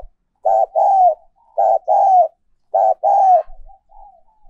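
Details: Spotted dove decoy song in the 'giọng còi' style, also called 'giọng kim': three mellow cooing phrases, each a short note followed by a longer downslurred coo, repeated about every second and a quarter in a quiet setting.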